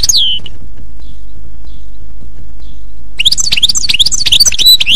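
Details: Wild goldfinch in a forest: a falling slurred note, a steady low rumble for several seconds, then bright, varied twittering song over the continuing background rumble.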